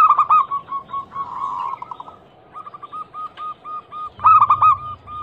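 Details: A local zebra dove, described as a female calling the male, used to coax other doves into song: rapid, gently rolling coos, a drawn-out purring stretch, then a loud choppy burst over a low hum.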